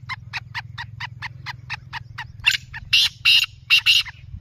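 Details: Black francolin calling: a steady train of short, dry clicking notes, roughly four per second, building into several louder, harsh grating bursts near the end, over a constant low hum.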